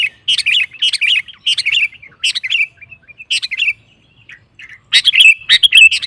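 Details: Sooty-headed bulbul singing to provoke other males: the same gurgling, whistled phrase repeated about twice a second, then a brief pause and louder, more tangled phrases.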